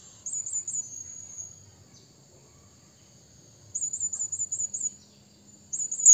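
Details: Blue-crowned hanging parrot calling to a rival: high, thin, wavering squeaks in quick bursts of three to six notes, with a long sustained whistle between bursts; otherwise quiet.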